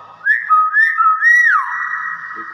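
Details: Loud whistling by a common hill myna: a steady held tone under three short arched notes, the last one swooping downward into a reverberant tail, with a faint low rumble near the end.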